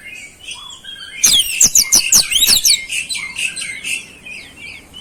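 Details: Oriental magpie-robin singing with flowerpecker imitations: a dense burst of high, sharp, rapidly repeated chirps and downslurs lasting about one and a half seconds, framed by softer scattered twitters and light background hiss.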